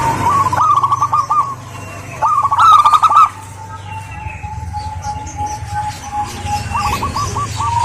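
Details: Zebra dove, local Indonesian bird, a female calling to a male: two rippling coo phrases, then a long soft sustained coo, ending in another stuttered phrase over a low steady hum.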